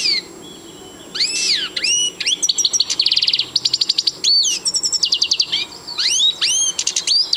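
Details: Siberian goldfinch in continuous song, mixing bright swooping whistled notes with fast liquid chattering trills and buzzy rattles, phrases following one another almost without break after a quiet opening second.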